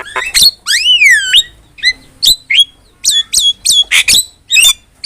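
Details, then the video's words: Lively Javan myna song for training other songbirds: a long, swooping whistle falling then rising opens, followed by a series of short, sharp whistled chirps and clipped squawks spaced about every third of a second. "MASTERAN JALAK KEBO GACOR"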